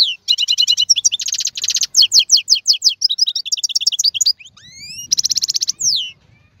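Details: European goldfinch, described as a strong wild-caught singer of the 2022 season, delivering a fast, loud run of high twittering notes, buzzy trills and rapid repeated chips, with a rising slurred whistle near the end; no other sounds.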